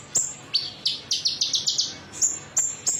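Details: Short konin metalik phrase used as a lure for other birds to sing: sharp high whistles, then a fast series of buzzy trilled notes, ending with more piercing whistles.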